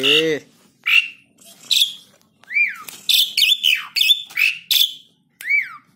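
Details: Black-winged starling, a tame caged bird used to coax other birds into song: a series of clear whistles, some sliding down, mixed with harsh chattering notes, roughly one phrase per second; faint background music.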